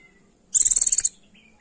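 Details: One brief, piercing trill of around ten quick buzzy pulses from a female Oriental white-eye calling to a male, with faint lower notes before and after.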